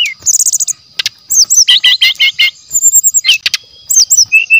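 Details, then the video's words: Energetic brown-chested jungle flycatcher song used as a lure: fast high trills, then a dense string of repeated sliding whistled notes, then brisk chips and a short trill, loud and nearly continuous. "TES MATERI PASTOL HUTAN ASLI JEBOL.!! SRDC GACOR DENGAN SUARA ASLI ALAM, PANCINGAN SRDC MASTERAN"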